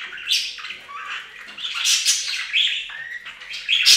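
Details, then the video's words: Budgerigars bathing together in a bird fountain keep up a steady warbling stream of chirps, squeaks and short whistled notes without pause. "Best Budgie Bath EVER! + Budgie sounds"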